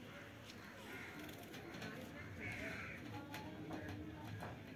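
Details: Pet rose-ringed parakeet being bathed, uttering raspy, speech-like talking chatter ("mitthu mitthu") in short bursts over steady splashing of water.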